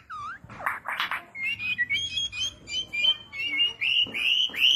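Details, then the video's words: White-rumped shama of the Borneo type, singing energetically with a rich repertoire, played to spur silent shamas: buzzy opening notes, then a run of clear rising whistles around two to three kilohertz, repeated briskly with slight variations. "MURAI BATU BORNEO/MURAI GEMBUNG GACOR ISIAN MEWAH,COCOK BUAT PANCINGAN MURAI MACET"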